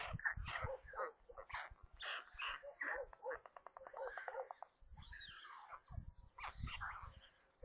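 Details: At a stork nest near Kaluga, Russia, five young white storks at feeding time around 13:57 on 27 May produce rapid wheezing, hissing and squealing calls in bursts, with a short pause midway and low knocking noises underneath.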